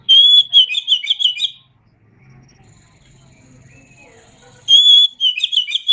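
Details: Oriental magpie-robin (kacer), from a masteran recording: two loud bursts of high, clear whistles with buzzy, rapidly repeated trilled notes, at the start and the end, separated by a quiet gap of about three seconds with faint low rumble.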